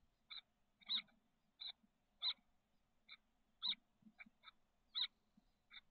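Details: Nest-box chestnut-backed chickadee nestlings aged 13 days, SF Bay south peninsula, May 2023. Brief, clipped buzzy notes repeat at fairly even intervals of about half a second, against quiet background rustle.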